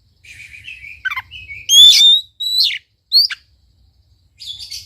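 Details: Oriental magpie-robin song meant to provoke a quiet bird to sing: soft warbling opening, then loud clear whistles rising and falling, sharp downward slurs, and a closing buzzy phrase, over faint low hum.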